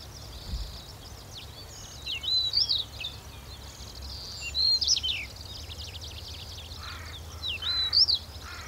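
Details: Stonechat recorded at Wakka Natural Flower Garden: short scratchy, high twittering phrases with quick rising and falling whistled notes come in three bursts a few seconds apart over a low steady background rumble.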